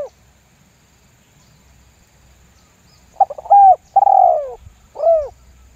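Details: Spotted dove giving a 'lambung guk' lure call meant to set other doves calling. After a quiet stretch comes one phrase of quick stuttering notes, a drawn-out, downward-sliding coo and a short closing coo.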